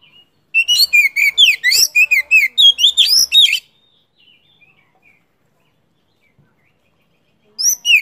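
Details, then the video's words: Oriental magpie-robin singing in Vietnam, a rich three-second outpouring of rapid, varied whistles and chatters at about three notes per second, then silence before a new phrase begins. "Kích chim chích chòe than hót , tiếng chỏ mồi hay nhất Việt Nam"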